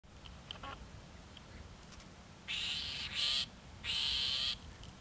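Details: An Iberian grey shrike at Castelo Branco on 5/7/2019 gives two harsh, grating rasps, each under a second long and about a second apart, after a few faint ticks, in a quiet background.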